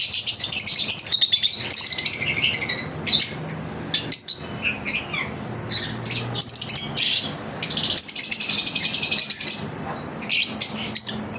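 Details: Pet lovebirds in their daily routine, long stretches of shrill chattering and rapid high chirps broken by brief pauses, several birds calling together in a room.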